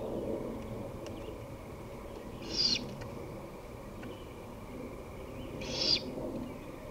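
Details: Great horned owl recorded 23 May 2018 at 5:53 pm gives two short, harsh, hissing screeches about three seconds apart, over a low steady rumble of background noise.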